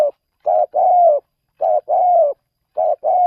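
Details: Spotted dove brought out to lure wild doves in another province: three clean phrases, each a brief hoot followed by a longer level coo, repeated about every second.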